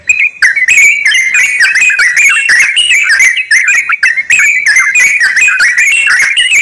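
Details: Song of the sooty-headed bulbul, used to prompt a reluctant bird to sing: a continuous, bubbling stream of fast warbled whistles over harsh chatter, with the notes packed closely together and barely pausing.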